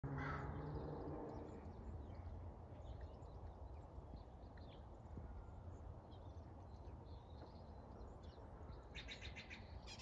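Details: Bird calling under iridescent clouds: a loud, harsh, low caw-like call in the first second and a half, then steady low rumbling background noise, with faint high chirps near the end.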